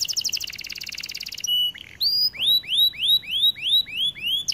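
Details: Song of a white canary: a rapid buzzy trill, brief pause and soft notes, then a series of loud arched whistles repeated about every third of a second.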